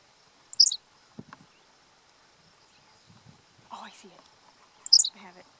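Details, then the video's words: Henslow's sparrow singing from the ground, out of sight, at SGL 100, Pennsylvania, on June 1, 2015. Two very short, high, hiccuping two-note phrases about four seconds apart, with faint low rustles and murmurs between them. "Henslow's Sparrow, singing from ground, not in view"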